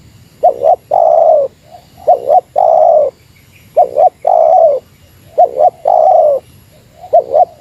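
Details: Meratus-style spotted dove call used to draw down a rival: paired clipped coos followed by one long sustained mellow note, the phrase repeating four times in quick succession with a thin constant high tone behind.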